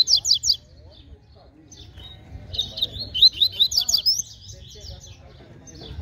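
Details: Double-collared seedeater, described as a fast, strong singer, singing in competition: a quick burst of sharp, high chirped notes, then after a pause a longer run of rapid, buzzy, warbling phrases, with a faint low rumble throughout.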